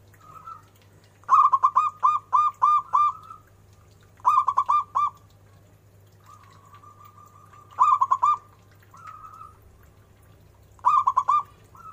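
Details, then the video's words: A loud local zebra dove repeats its rolling cooing phrase four times, each a rapid burst of several bubbling notes, with softer drawn-out tones between phrases and a steady low hum. "perkutut lokal gacor suara BESAR DAN BERCENGKOK"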